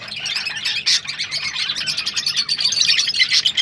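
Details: Rosellas calling to encourage breeding: dense, continuous high chattering and chirping with buzzy notes, several overlapping voices, and a louder harsh burst near the first second.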